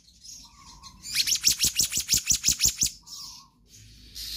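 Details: Black-naped monarch in vigorous 'gacor konslet' singing, full of variations, meant as a tutor recording for other birds: a fast run of about ten sharp, high, evenly spaced notes, with softer hissy phrases before and after.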